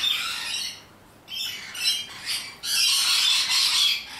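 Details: Wild rainbow lorikeets (Trichoglossus moluccanus), highly social, noisy nectar-feeding parrots in Australia, screech in harsh, grating bursts, several overlapping squawks in rapid, uneven waves with brief gaps.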